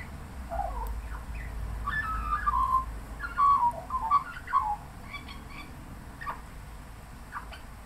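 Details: An Australian magpie perched on a house boundary fence in suburban Melbourne, Australia, late afternoon in light rain, sings a long varied repertoire that includes mimicry. Here it gives rich warbling, gurgling phrases in bursts with brief pauses, over low background hum.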